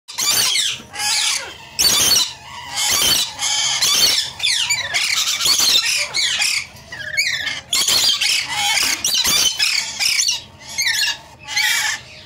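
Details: Swainson's Rainbow Lorikeet chicks give shrill, harsh squealing calls in quick, irregular bursts, about one burst every second, with scratchy rasping notes between them.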